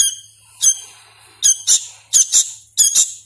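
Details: Hand-reared young sooty-headed bulbul, still learning its song, gives loud shrill doubled squeaks with a scratchy edge, about one pair every half second, over a faint low hum.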